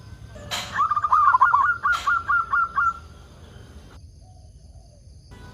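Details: Zebra dove of local stock used as a lure to prompt other doves to call: a single fast run of about a dozen soft cooing notes, framed by clicks, then quiet.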